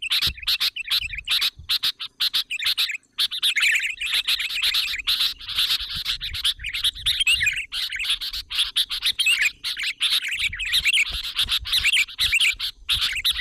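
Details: Sooty-headed bulbul lure calling to bring in other bulbuls: near-continuous chorus of overlapping chirps and liquid warbles, busy and chattering, with a short break early on.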